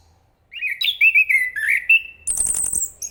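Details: Enggano thrush giving a smooth, wavering whistled phrase, then a burst of very high, thin, rapid chittering notes.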